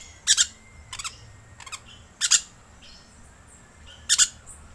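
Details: Lure call of a green lorikeet, a run of five rasping, shrill screeches, several split into quick double notes, spaced unevenly under a second apart over quiet background hiss.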